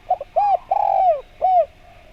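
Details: Spotted dove call meant to make other doves respond: a quick doubled note, a short arched coo, a long rolling coo that drops in pitch, then one more rounded coo, with a constant low hum behind.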